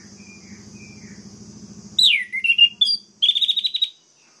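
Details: Orange-headed thrush song played to make other orange-headed thrushes go wild: after a low steady hum, loud sweeping whistled phrases, a falling slur, then a rapid buzzy trill of repeated notes.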